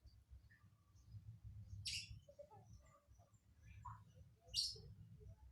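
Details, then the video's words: Lovebird singing an odd fill-in (isian) song: two sharp, high, rasping chirps about two and a half seconds apart with soft twittering between, over steady low rumbling background noise. "Burung lb isian aneh"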